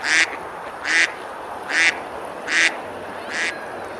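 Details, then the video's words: On a summer river in Besalú, Spain, eating ducks quack five times, each a short harsh nasal burst, evenly spaced about 0.8 seconds apart over gentle hiss. "Ducks quacking, eating and splashing on the river"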